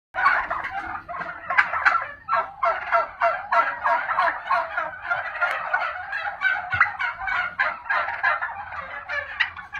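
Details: Royal Palm turkeys, several birds gobbling together in a dense, continuous chorus of rapid rattling gobbles that overlap and pulse about three times a second.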